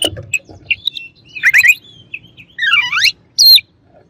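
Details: Oriental magpie-robin singing to rile rival birds, with short chirps, a rising twittered trill and a sweeping slurred whistle that dips and climbs.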